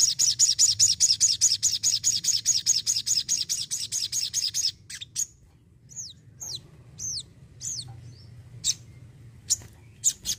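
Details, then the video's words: Energetic Crimson sunbird singing a rapid series of high, sharp chipping notes, about two or three a second, then breaking into scattered thin, down-curving whistles and isolated clicks. "PECINTA SOGON PASTI SUKAK..SOGON ISTIMEWA YANG ENERGIK"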